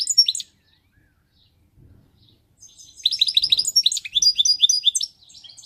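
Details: European goldfinch giving a short twittering burst, then after a near-silent pause with faint low knocks, a long sparkling run of rapid high chirps and trills.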